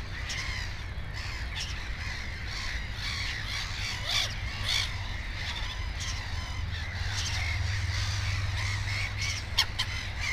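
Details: Black-headed gulls at a nest with two chicks give harsh, grating calls that repeat irregularly, some overlapping, over a steady low rumble of wind or distant noise.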